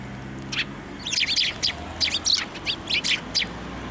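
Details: Sparrows at a Tenmangu shrine on 3 March 2024, flying onto a hand to take food; a burst of short, bright, repeated chirps from several birds across four seconds over a low traffic hum.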